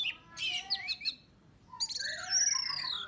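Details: Orange-headed thrush song used as a lure to provoke birds: varied whistled and chattering phrases, a burst of quick notes, then a pause before a bright rising, buzzy run.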